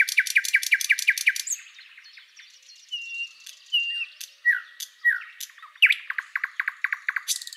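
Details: Thrush Nightingale singing a varied, loud phrase: a fast run of repeated clicking notes, then pure whistles, descending slurred notes and a rapid rattling series at the end.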